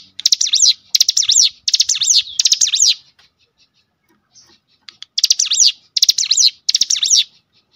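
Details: Cinereous tit lure song for provoking other birds of its kind into song: four quick chattering phrases in a row, a two-second gap, then three more, each phrase a fast string of swooping notes.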